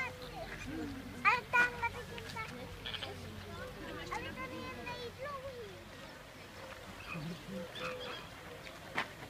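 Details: Chilean flamingos (Phoenicopterus chilensis) at Prague Zoo: a flock gives nasal, goose-like honks and low gabbling calls that overlap in a steady chatter, with people's voices murmuring in the background.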